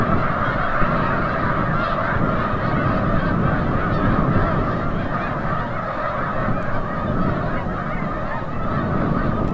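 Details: Sunset return of snow geese from the bay at Forsythe National Wildlife Refuge, Oceanville, New Jersey: hundreds of honks overlapping in a continuous, clamorous chorus, several calls per second, over low rumble.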